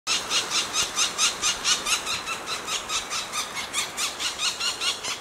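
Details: Black woodpecker nestlings in a tree cavity near Finsterau, Bavarian Forest National Park, beg while being fed by a parent: a rapid, harsh, high chorus of rasping squeals, about four bursts a second, with faint background hiss.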